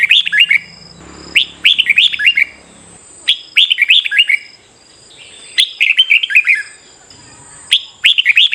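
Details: Morning competitive singing of a red-whiskered bulbul used to train and stimulate birds: five lively phrases of rapid chirpy, slurred notes with brief gaps, a faint low hum early on, and a constant high-pitched whine behind.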